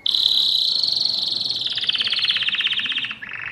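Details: Mosaic canary singing a long, even rolling trill of rapid notes that slides slightly lower before ending with a brief lower phrase.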